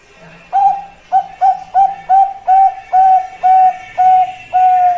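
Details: Bangkok perkutut, or zebra dove, cooing: a series of about eleven mellow, slightly rising notes, close together at first and then longer and more spaced, over a faint low hum.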